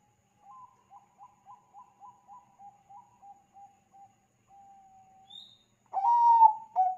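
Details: Bangkok-type zebra dove song meant to lure others into calling: a soft string of about twelve quick coos slowing to evenly spaced notes, a faint long note, then a loud sliding coo with a short final note.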